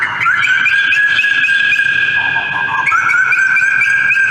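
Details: White-crested laughingthrushes, social birds in a flock, in a loud, overlapping laughter-like chorus of sustained notes, with short rising whoops near the start and again near the end.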